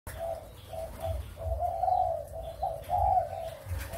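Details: Spotted doves of Malaysian and Thai breeding stock, recorded 23 August 2021, give low mellow coos in short phrases, one after another through the clip, with a steady low rumble underneath.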